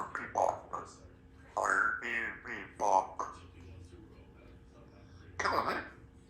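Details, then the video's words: A female Congo African grey parrot talks in short, speech-like bursts of a few syllables, with one clear rising whistle-like word in the middle, in a quiet room. "African Grey Talking Baby Parrot speaks better than most people"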